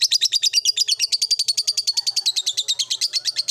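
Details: Caged blue ice lovebird performing ngekek in an old cage: a continuous rapid chatter of high, harsh notes, roughly ten per second, steady for several seconds over a faint low background hum.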